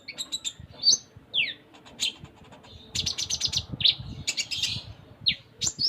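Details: Captive Sunda minivet in vigorous, richly varied song: squeaky high chirps and short downward-slurred notes, then a dense run of buzzy twittering, with clicking sounds between phrases.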